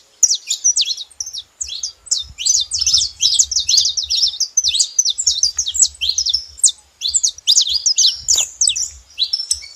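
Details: Saffron finches together making noise: dense, overlapping high chirps and sharp downslurred notes pour out almost without pause for ten seconds, in brief rapid bursts, over a faint low rumble in the background.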